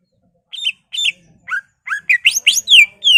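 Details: Greater green leafbird singing a ngentrok-style song with mimicked fills, used as a lure to provoke other leafbirds: about eleven varied whistled notes, first spaced then tumbling faster, with sweeping rising and falling slurs and a final long descending whistle.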